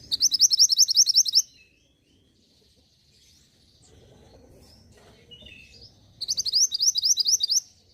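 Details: Mountain mantenan song used to stir caged birds into singing in Indonesia: two bursts of rapid, high, sharply repeated chirping trills separated by several seconds of faint twittering.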